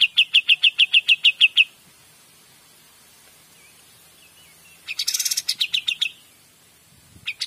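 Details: Cream-vented Bulbul, locally kapas tembak, in 'gacor dor' song: a quick string of sharp chips stops into a long quiet stretch with soft faint whistles, then a harsh rasp leads into another short run of bright chips.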